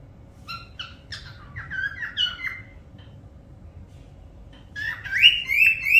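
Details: Whistling parrot gives short stacked notes, then bending phrases. After a three-second pause, a louder end section of rising, upward-swooping whistles follows, over a faint low hum.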